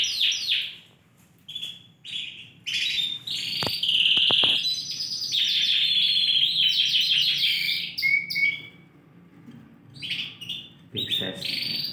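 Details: Four caged Yorkshire canaries, Romeo FOI colour, in full song in Indonesia on 20 December 2020; long sustained high trills and rattling rolls run almost continuously, with a thin whistled note near the end before the trilling resumes.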